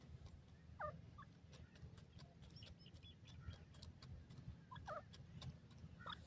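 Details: Pheasant, possibly a francolin, calling in the wild, gives short, harsh, descending calls a few seconds apart over a steady low rumble like distant traffic, with faint clicks and ticks above.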